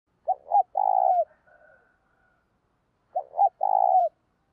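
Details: Spotted dove cooing in the urging and calling styles, played to stir up decoy doves. Low soft coos in two phrases, each with two short notes and then a longer rolling coo, separated by about two seconds of silence.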